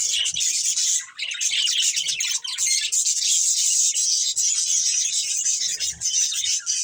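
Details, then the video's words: Steady high budgerigar chatter from a breeding pair, continuous warbling and chirps running almost unbroken throughout. "Cute Budgies Chirping Sounds | Love Birds Breeding Pair"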